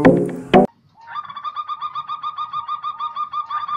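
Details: Local Indonesian zebra dove, a female in good voice, giving a steady run of quick, soft cooing pulses about twice a second after a short burst of human voice and clatter at the start.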